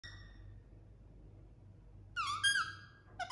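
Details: Indian ringneck parakeet indoors: a faint harmonic squeak at the start, then after a quiet stretch a loud, harsh, buzzy squawk of about a second with wavering rich overtones, and a short sharp squeak at the end.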